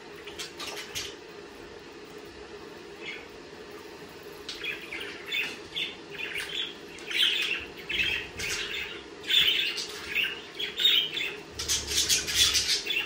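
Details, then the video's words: Budgerigar chirps start sparse, then grow into a quick run of short, scratchy, squeaky notes that come irregularly, over a steady low background hum. "Sonidos de periquitos Australianos"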